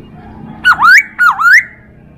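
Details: Chinese hwamei tutor recording for teaching other birds: two loud whistled notes, each dropping sharply and then sliding upward in a smooth rising sweep.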